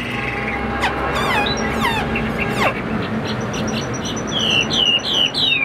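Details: Caged Chinese hwamei offered as a tamed bird, singing loud clear whistles: quick falling slurs and sweeping notes, then a run of higher bright whistled phrases near the end, over a steady murmur of background noise.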